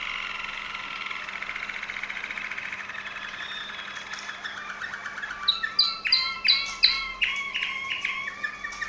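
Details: Waterslager Malinois canary from Veliko Gradiste, Serbia, singing a long rolling trill for about four seconds, then breaking into a series of separate bubbling, water-like notes repeated roughly twice a second, with a faint low hum behind.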